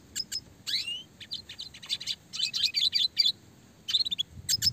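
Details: Red siskin in classic gacor song, clear and fast with rolls and tightly packed shooting notes, a model for training small fighter songbirds: dense high twittering with a rising buzzy sweep, rapid chirp runs and brief pauses.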